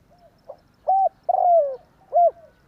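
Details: Spotted dove calling as a lure for trapping, tarik akar style: a faint lead note, a short coo, a long coo gliding downward, then one more short rounded coo.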